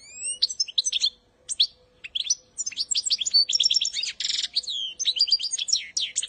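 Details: Goldfinch of the joker saira style, sung as a training song for young birds: a fast, twittering run of high chirps, trills and thin rising whistles with brief pauses, a steady faint hum underneath.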